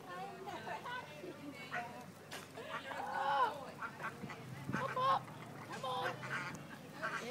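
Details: Ducklings heard in repeated nasal quacks with stacked tones, several bursts spaced through the clip, louder around the middle, mixed with human voices talking nearby.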